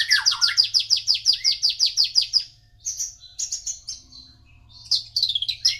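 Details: Javan bush lark singing a rapid series of bright, buzzy chirps that drop into lower slurred notes. After a short pause, scattered high twittering phrases follow, over a faint low hum.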